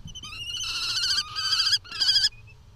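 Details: Both European kestrel parents arguing, Netherlands, 6 June 2020: a brief thin note, then strained, buzzy, whining calls in two long bursts separated by a short gap, ending with a faint high note.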